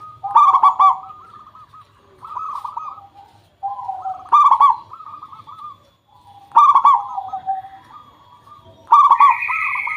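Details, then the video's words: Zebra dove singing as a lure for wild doves: four loud rolling coo phrases about every two seconds, each starting with crisp clicks, with a brief higher tonal note near the end. "Suara Pancingan Burung Perkutut Pikat Paling Bagus Supaya Bunyi"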